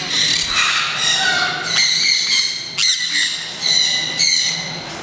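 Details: Green-cheeked parakeets, newly added to the turaco and spoonbill plaza at Kakegawa Kachoen bird park, Japan, first released into this zone. They give harsh, harmonic squawks in quick overlapping series, with loud sharp calls near the end.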